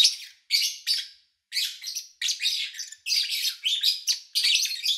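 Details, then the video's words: Lovebirds in August 2019, recorded over three days when engine noise was low: quick, grating chirps in short bursts at first, then denser overlapping chatter from several birds. "Sounds of Lovebird Chirping"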